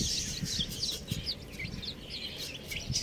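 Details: Shrill chirps from a flock of chicken chicks, short and rapid, some sharply rising or falling, with faint low taps underneath.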